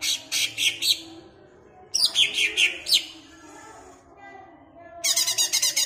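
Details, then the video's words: Song of a caged greater green leafbird from Ampelgading, Pemalang, meant to make other leafbirds agitated: clipped, shrill chirps in short clusters, a falling run of piercing notes, a pause, then a quick rattling trill. "BUAT CUCAK IJO MU CEPAT EMOSI DENGAN PLAY VIDEO INI"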